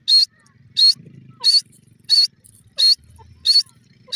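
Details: Francolin, the Iranian teetar, giving loud harsh high-pitched bursts repeated about every 0.7 seconds in a steady rhythm, with a faint low murmur between the calls.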